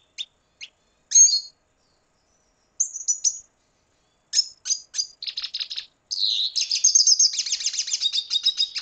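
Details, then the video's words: Venezuelan red siskin (cardenalito) opening with scattered high chips and short whistled notes. These build after a few seconds into a dense, fast twittering trill that runs to the end. "Canto Cardenalito Venezuela"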